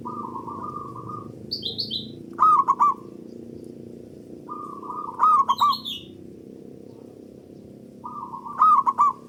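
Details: Zebra dove of a local type, its song used to prompt other doves to sing. Each phrase is a flat, buzzy coo followed by three loud, ringing coos, repeating about every three seconds. Faint high chirps from other birds sit between the phrases.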